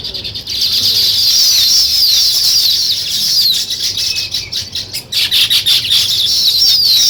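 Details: A colony of weaver birds building nests keeps up loud, overlapping buzzy twitters and sharp chirps, with brief dips and a stretch of choppy, stuttering notes.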